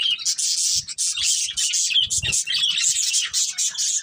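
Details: Pet budgerigars chirping together as a family group, dense overlapping high chatter and warbles with brief squeaky notes, continuous with short gaps and a few soft low thumps.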